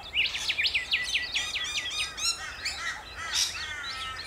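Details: Rainbow lorikeets in Australia: a fast series of sharp zigzag squeaks, then rough screeching notes and a few rasping shrieks, several birds overlapping.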